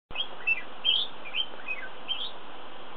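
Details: Flame-throated bulbul, Pycnonotus gularis, known in Malayalam as Manikandan: a series of short, bright, slurred chirps, some rising and some falling, about six across three seconds at uneven intervals, over a steady background hiss.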